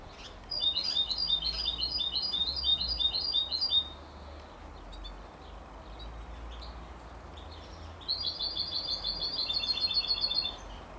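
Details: At 33 days old, a canary x European goldfinch hybrid chick twitters in two long rapid bursts of bright, high, stacked chirps, separated by a few seconds of near silence.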